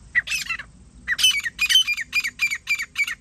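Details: Calls of a wild grey francolin, or jungli teetar, recorded while hunting partridge. A brief harsh burst and a pause lead into a steady run of about eight loud, grating notes, evenly spaced.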